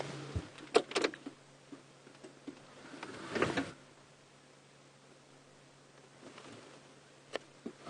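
Knocks and clunks like a door or window moving, with a steady low engine hum throughout and quiet stretches between.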